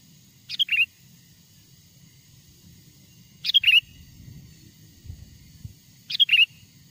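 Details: Lure call of the sooty-headed bulbul, meant to draw wild birds near; three brief whistled phrases spaced roughly three seconds apart, each a sharp high note sliding into a lower warble, over soft low background rumble.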